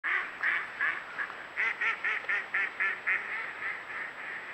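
A duck gives a fast run of nasal, harsh quacks, about four a second, in an uneven series over a steady background hiss.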